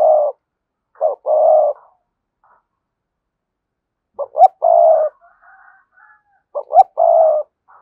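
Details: Spotted dove cooing, cườm sa type: repeated phrases of a quick double note rising slightly, then a long steady low coo, about every three seconds.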